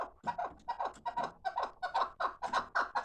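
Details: Fighting chukar partridge giving a steady series of short, throaty chuck notes, each sliding down slightly, repeated a little over once per second, with a faint room echo and no other sounds.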